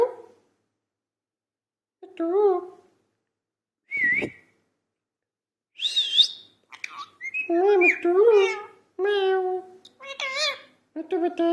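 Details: Talking parrot: isolated voice-like syllables and a sharp whistle, then a rasping burst followed by a dense run of harmonic, wavering speech-like notes.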